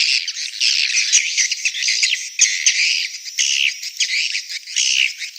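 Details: Swiftlets giving a mating and breeding call, a busy chatter of high clicking chirps and short squeaky notes in uneven bursts, briefly pausing between clusters.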